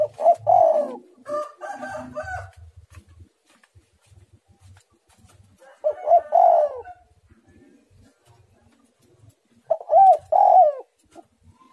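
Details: Spotted dove (tekukur) in energetic 'menekan rapat' song. Three coo phrases about four seconds apart, each of short notes and a longer falling coo. Another bird's harsh, harmonic call overlaps early on.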